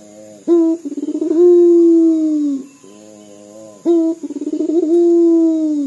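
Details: Local Indonesian puter dove, Barbary dove, singing vigorously in the dor call style, said to sound like crying: long low steady coos that slowly fall, each opened by a sharp rising note and a quick throbbing stutter, two phrases, steady high whine behind.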